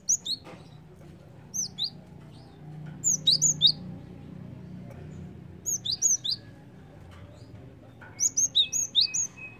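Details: Java sparrow lure calls for attracting birds, given as short clusters of two to six bright, high, downslurred chirps scattered through the recording over a low room-like background rumble.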